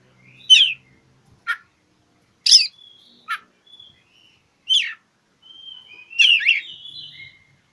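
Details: Oriental magpie-robin seeking a rival, giving a string of loud, abrupt, slurred notes spaced irregularly, with quiet whistles between and a warbled, chattering phrase at the end.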